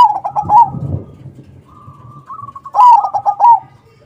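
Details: Crossbred zebra dove song for luring other doves into answering: a rolling pulsed phrase, a dull low thump, a drawn-out fainter coo, then another loud run of quick beaded notes.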